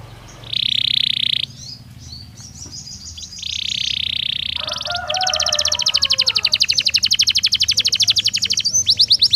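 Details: A Belgian canary sings naturally: steady high buzzy rolls separated by pauses, then a long, very fast trill of repeated notes; a low murmur sits in the background.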